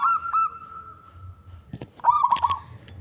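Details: Male local zebra dove, a contest-type bird, singing to draw other doves into song: a couple of short hooked notes, a pause with soft clicks, then a quick rolling series of cooing notes.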